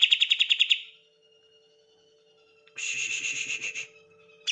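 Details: Green leafbird 'tembakan' song meant to make silent leafbirds sing: a brisk run of bright, rapidly repeated notes, a quiet gap, then a harsher fast-pulsed burst, over a steady low electrical hum.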